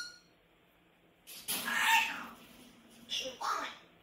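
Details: Pet Grey parrot screaming, as its owner complains: after near silence, a loud drawn-out harsh, raspy squawk, then two shorter hoarse cries.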